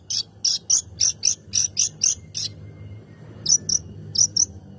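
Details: Long-tailed shrike song played to provoke other birds into singing: sharp, high buzzy chips repeated in a rapid burst of about nine notes, a pause, then two quick pairs, over a low background hum.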